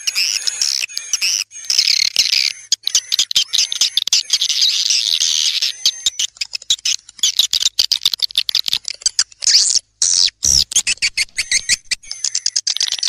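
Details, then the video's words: Swiftlet lure sound: a dense, continuous chattering of many high, buzzy chirps overlapping, with brief breaks and a sharper flurry near the end. "Panggil burung walet suara"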